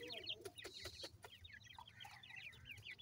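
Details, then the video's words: A dense string of high, falling chirps from several grey francolin chicks (irani teetar), repeated rapidly and overlapping, with clicks and a low hum underneath. "irani teetar chicks ki voice"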